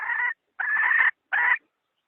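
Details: A hen lure call used in trapping wild chickens: three nasal, buzzy notes, the middle one longest, separated by short pauses.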